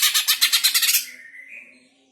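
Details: Greater green leafbird, whose call is played to stir pet birds; one second of fast, grating pulsed rasps, then a thin rising whistle that fades away.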